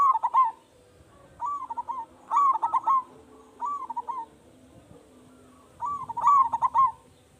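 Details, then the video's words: Local zebra dove, frequent loud singer used as a lure so other doves call at once: five quavering, stuttered coo phrases, loud and soft ones alternating as if two birds trade phrases. "Perkutut Lokal Gacor Suara Besar Pancingan Hanya 3 Detik Perkutut Lain Langsung Bunyi"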